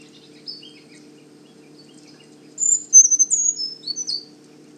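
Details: Brown Creeper song recorded at the Manchester Cedar Swamp Preserve in New Hampshire, where one was seen nest-building in late March: a very high-pitched phrase of thin, sliding jumbled notes near the end, after a few faint high chips, in quiet forest.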